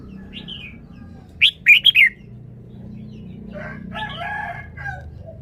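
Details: Red-whiskered bulbul showing off its song phrasing: a short whistled note, then a quick burst of three or four bright, slurred phrases, followed by softer chattering notes over a low background hum.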